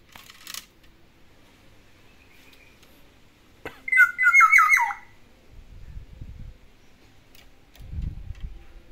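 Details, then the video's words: Captive Black-naped oriole at home delivering imitated song: one quick burst of four or five looping, wavering notes that drop in pitch at the end, amid faint room noise and low thumps. "KEPODANG ISIAN TIGA VARIASI"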